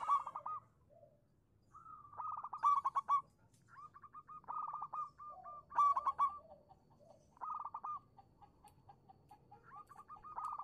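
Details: Zebra dove of the local type giving a lure song to coax non-singing doves: repeated bouts of fast, bubbling staccato coos separated by evenly spaced single notes and a few lower soft coos.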